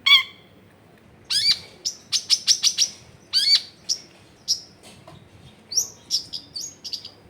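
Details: Long-tailed shrike song used as a lure to prompt lazy shrikes to sing: bursts of sharp, high chips and buzzy notes in quick series, clustered phrases with short pauses between, some downslurred squeaks, recorded in a crowded residential area.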